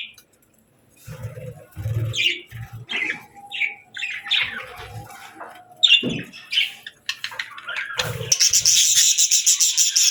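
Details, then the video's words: Happy budgerigars chirping while eating: quick separate chirps and twittering notes, then a burst of fast, dense chatter near the end, with soft low knocks from feeding. "Happy Budgie Sounds | Budgies Chirping & Eating Sounds"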